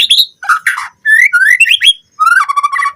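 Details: Murai batu, the white-rumped shama, in a lure song for training captive birds: three quick phrases of mellow, warbled whistles, rising and falling, the last one ending in a trilled run.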